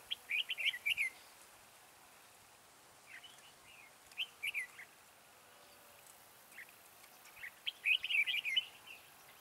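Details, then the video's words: Red-whiskered bulbul used as a decoy in a trap, singing with a high, soaring voice to lure other bulbuls; three bursts of rapid, warbled whistled phrases, each under a second, separated by quiet pauses with faint background hiss. "Bẫy chào mào Mào boi 3 cao vút"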